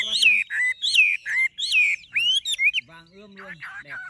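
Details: Caged Chinese hwamei with golden-yellow plumage, tame and singing freely: loud whistled phrases that slide down and repeat about twice a second, with a man speaking near the end.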